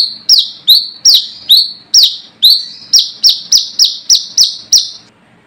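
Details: Brown-throated sunbird rival call used as a lure: sharp high notes dropping to a level buzzy tail, starting spaced and speeding into a tight run of quicker strokes before stopping.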